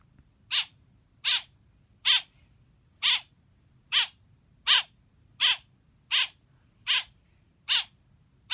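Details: Young blackbird calling steadily, eleven short, scratchy chirps at a fairly even pace of roughly one per 0.8 seconds, over a faint low rumble.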